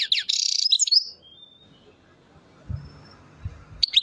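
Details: Goldfinch singing at Chouala, Relizane province, Mendes district: one second of rapid, high, liquid twitters and buzzy notes, a thin faint whistle, a long quiet stretch with soft low knocks, then a final sharp chirp.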